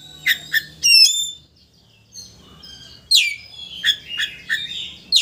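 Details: Oriental magpie-robin song to provoke a rival into tail-opening; sharp descending notes and a bright trill, a short pause, then a rapid run of sweeping whistles.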